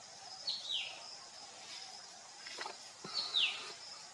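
Verditer flycatcher giving two thin, high notes that slide downward, spaced about three seconds apart, over a steady high insect hum and faint forest sounds.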